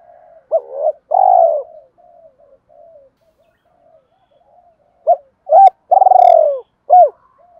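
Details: Spotted dove calling to excite and lure wild doves in: a short coo phrase with a long drawn, falling middle note, a pause with faint low murmurs, then a second phrase of clipped, hooked coos around a long note.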